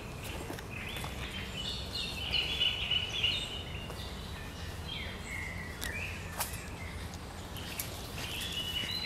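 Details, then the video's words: A Great reed warbler sings on 1 July 2020 in harsh grating and chattering phrases in short repeated bursts, with other small birds chirping and a steady background hiss. "Trzciniak - Jego ostre, szczebiotliwy śpiew"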